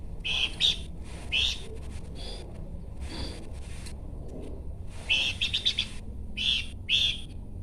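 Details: Horsfield's babbler song in scattered phrases of bright chirps and short trills, with gaps between groups and a faint low hum throughout.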